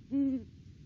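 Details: Single deep, steady hoot from a wild Great Horned Owl of a pair visiting its nest tree in the December off-season, short and clean.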